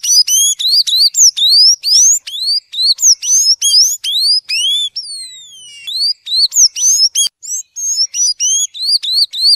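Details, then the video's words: Tanager song in the 'violino' (violin) style, played to train or warm up a bird: rapid series of clear, sliding whistled notes, mostly rising, with a few longer descending slurs, delivered in quick succession with almost no pauses. "Sanhaço Canto Violino para Treinar ou Esquentar seu Pássaro"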